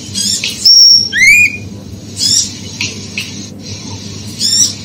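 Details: Female oriental magpie-robin call meant to rouse males into agitation: a sustained high whistle, then a rising slurred note, followed by softer scattered high chirps over a constant low hum.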